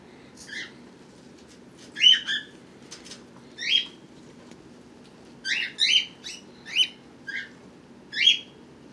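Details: Pet birds kept indoors with babies born March 31st and April 1st, 2018: short, scattered, high chirps in small clusters, with quiet gaps between and a low background hum.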